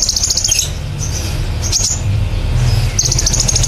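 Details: Kolibri ninja sunbird pouring out rapid, very high trilled rattles in nembak cililin style, with pauses between bursts and a constant low hum behind.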